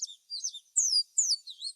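Yellow Warbler song, slowed down: about six high, sweeping whistled notes that slide sharply up and down, spaced through nearly two seconds.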